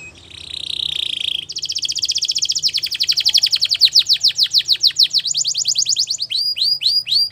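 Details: Belgian canary singing for training: a buzzy roll leading into a long rhythmic run of sweeping downward whistles, roughly four a second, closing with clipped hooked notes.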